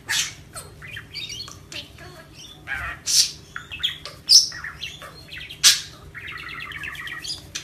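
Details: A male pet parakeet chatters busily while playing with a tennis ball on the floor, mixing harsh squawks, buzzy trills and sharp high chirps in uneven bursts, with faint room hum underneath.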